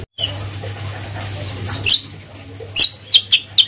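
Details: Greater green leafbird singing vigorously in the gacor style: a few loud, sharp, high whistled notes after a quiet start, over a steady low electrical hum.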